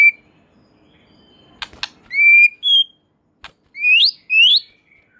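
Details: White-rumped shama in vigorous song that is claimed to set other shamas singing: sharp clicks, then pure drawn-out whistles and two strongly upswept whistled notes with quiet gaps between.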